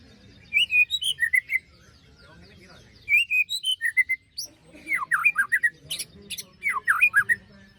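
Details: White-rumped shama singing besetan phrases, played to coax birds silent after moulting back into song: crisp whistled notes in fast groups, then sharp dropping slurs mixed with brief buzzy high bursts.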